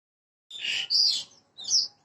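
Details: Branjangan parva bushlark, a prompting recording meant to get a bird singing quickly: two short phrases of high, bright chirps and a sharp whistled note separated by a brief pause.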